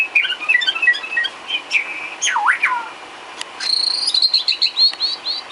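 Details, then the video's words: Filler song of a white-rumped shama used to train cage birds, opening with rapid chattering notes, then a deep swooping whistle and a run of fast high repeated chirps. "Isian kicau burung murai batu"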